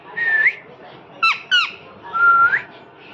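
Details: Cute parrot whistling indoors: a steady tone rising sharply at its end, a pair of quick harsh squawks dropping in pitch, then a second long whistle that climbs at the finish.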